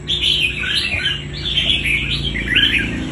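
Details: Red-whiskered bulbul caught from the wild and trained for fighting, giving loud looping warbled phrases, several rising and falling swirls in quick succession, over a faint low hum.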